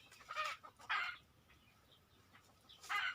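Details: Red junglefowl heard at a distance while hunters use a decoy: three raspy bursts about a second apart rise above a steady background hiss.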